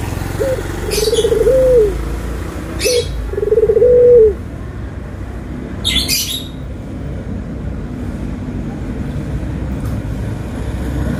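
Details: Two low, smooth coos from a Barbary dove, white and brown forms compared, each with a short lead-in note followed by a held tone, then background hum and scattered high chirps from other birds.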